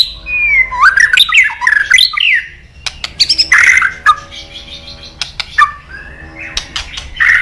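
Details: White-rumped shama giving a tangle of harsh, squawky notes and twisting whistles, followed by scattered clicks and short, scratchy bursts.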